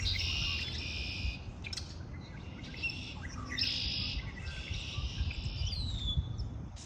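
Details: High buzzy trills from birds in spring come in long, near-continuous phrases, ending with a clear downslurred whistle, over a low steady rumble.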